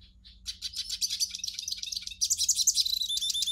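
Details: Hooded siskin song for stimulating a captive bird: after a soft opening note, a run of sharp high chips builds into dense buzzy twittering and warbles that grow louder toward the end.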